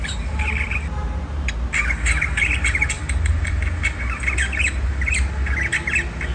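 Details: Budgie, white diamond type, giving harsh squawks and scratchy chirps in short clustered bursts, with sharp clicks between and a heavy low rumble beneath.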